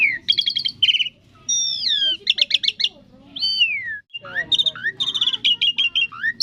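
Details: Asian pied starling giving its thousand-voice song: stuttering buzzy trills, long sliding whistles falling in pitch, a brief pause, then fast chattering phrases and chips, with soft low music in the background.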